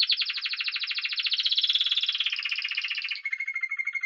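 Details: Spanish timbrado canary delivering a dense, rolling metallic trill that wavers slightly in pitch, then shifts to a thinner steady tone near the end.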